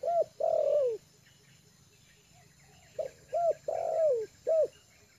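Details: Spotted dove, a tame lure bird settled on the ground, coos twice: a short low note, then a drawn-out mellow coo falling away. The second phrase adds paired short notes and a closing clipped hoot.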